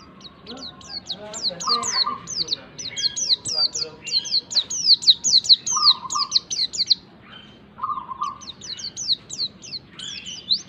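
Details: White-eye (pleci) song played as a lure to get a pleci to start singing: rapid series of high, sharply swept chirps in bursts, with a low, steady hum-like tone recurring under the chirping.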